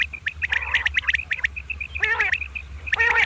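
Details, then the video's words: Common quail (batair), two birds calling in the morning with kirk karkar notes: short, high chirps repeated rapidly, broken by harsh, buzzy bursts with layered tones. Steady low hum underneath. "Common Quail Calling Batair Ki Awaz | Suba Batair Lagty Waqte Ki Awaz | Double Batair kirk Karkar"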